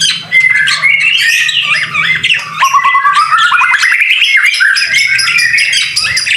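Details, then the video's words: White-rumped shama in full song during rain, a masteran recording: clear whistles and squeaky chirps, then a run of short upward-sweeping notes climbing steadily, ending in more jumbled warbling over faint low background noise. "BIRD SOUND IN THE RAIN SUPER SPECTACULER / MASTERAN MURAI BATU GACOR"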